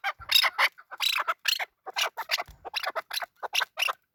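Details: Male chukar partridge giving short, scratchy, rasping notes in quick irregular groups, harsh and high in tone.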